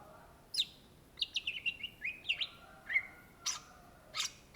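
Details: Greater green leafbird (Cucak Ijo), an Indonesian native, singing actively: a string of short whistled and slurred notes with sharp upward flicks, sometimes held as brief level tones, over a faint steady hum.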